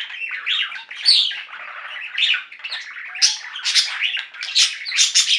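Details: Budgerigars in a pet flock warbling together: a steady stream of bright chirps, trills and scratchy squeaks, growing louder and sharper toward the end.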